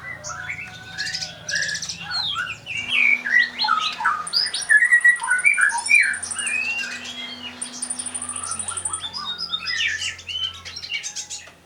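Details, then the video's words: Kolibri ninja sunbird singing its full material: dense, squeaky chatter of rapid high notes and slurred whistles mixed with thin buzzes, steady and nearly unbroken, over faint low hum. "Kolibri ninja Gacor full materi"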